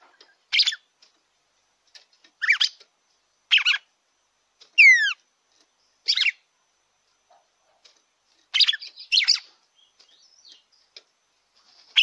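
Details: Red-cowled cardinal song meant to stimulate a captive bird: irregular chirped phrases every second or two, with one long downward-sliding whistle midway and a quick double phrase later; no other sounds.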